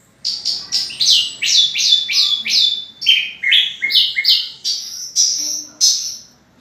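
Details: Orange-headed thrush singing as a lure to spur other birds into song: a fast, continuous run of clear chirped notes, roughly two or three per second, stepping downward then rising again, with a clean, quiet background.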